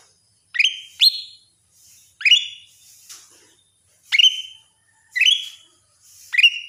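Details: Caged greater green leafbird delivering loud ringing whistles, each a sharp downward-sweeping note ending in a steady high tone, repeated about once a second in clean, quiet surroundings.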